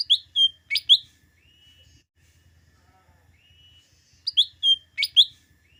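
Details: Cucak daun, the lesser green leafbird, used to get green leafbirds singing before contests: quick bursts of four loud, bright chirps with short thin whistles, separated by a quiet stretch with a faint low hum.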